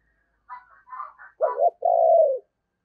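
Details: Tết-season decoy spotted dove urging coo for luring wild birds: a few soft, higher murmured notes lead into a stuttered low note and one long, smooth descending hoot.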